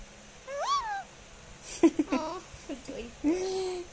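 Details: A six-month-old eclectus parrot speaks its first word, "hello", a single drawn-out, rising-then-falling utterance. A woman's voice follows, coaxing it to say hello again.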